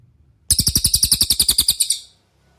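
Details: Cililin master song for training other cage songbirds: a burst of roughly sixteen quick, piercing high chirps in a steady trill lasting one and a half seconds, fading out at the end, with no other sounds.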